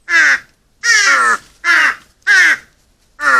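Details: Crows at feeding time gathered to eat: loud, raspy caws repeated roughly every seven-tenths of a second, each call harsh and slightly descending, five calls in quick succession.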